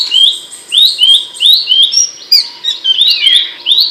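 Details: Abbott's babbler, with a loud, sharp voice, used as training material for songbirds. Rapid series of bright upslurred whistles, about three a second, with thin high ticking notes above and a faint steady hum below.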